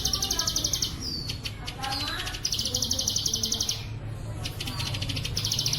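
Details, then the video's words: Plain prinia song in the 'bren cililin' style, recorded as training material for kept birds: long runs of rapid, dry, buzzy trilled notes, high-pitched, broken by short rising whistled slurs, over a steady low background hum. "masteran terbaik ciblek sawah bren cililin suara jernih"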